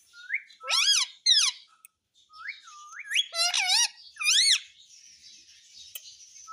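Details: Pet parrot taught to talk "mummy papa", producing loud, buzzy, harmonic syllables that sweep up and down in short clusters, mixed with rising whistled notes, in two bouts with a pause between, indoors.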